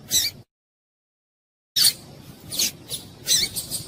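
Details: Female papa-capim seedeater call for warming up males ahead of singing tournaments; an abrupt high chip, a silent gap, then a burst of several irregular bright chips and ticks.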